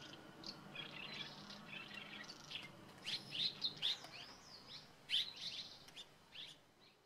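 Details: Red-rumped Swallows (Cecropis daurica) perched together in Landour, Uttarakhand, in the Indian Himalaya, giving short, high chirping notes in a loose burst of about half a dozen, with softer twittering and faint background noise.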